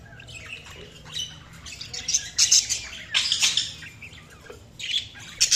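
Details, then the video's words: Budgerigar chirping: scattered bursts of high, scratchy chatter and short squawky notes, loudest in clusters around the middle and end, with a faint low hum underneath. "Budgies Sounds| Budgies Chirping sound"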